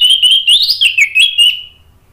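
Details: Orange-headed thrush singing a lure phrase meant to prompt other birds to answer: one brief, loud rush of clear whistles wavering up and down, ending in a fading trill.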